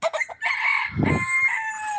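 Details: A young rooster on his first day back out in the yard gives one drawn-out, slightly hoarse crow that holds steady then trails off, with a brief low thump partway through. Afterwards he calls his hens to him.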